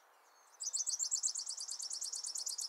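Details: Grassland yellow-finch (chirihue) song: after a brief quiet start, a fast, high, buzzy trill of rapidly repeated notes runs steadily to the end.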